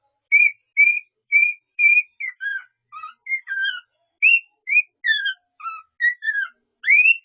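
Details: A cockatiel whistles a mixed-up medley of learned tunes: the Pink Panther theme, the Darth Vader theme and a Mickey Mouse tune, in clear, pure notes that step up and down.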